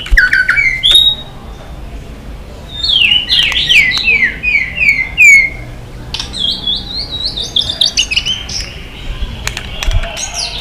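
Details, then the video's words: White-rumped shama singing competitively. It gives a clear rising whistle, then a descending cascade of slurred notes, then quieter high warbling phrases with clicks in between. "chòe lửa hót nhiều giọng kích bổi hót đấu"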